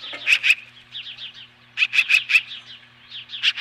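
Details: Osprey standing off magpies at its Lolo, Montana nest, July 2015: loud, sharp whistled yelps in groups of two to four, separated by softer fast chirping.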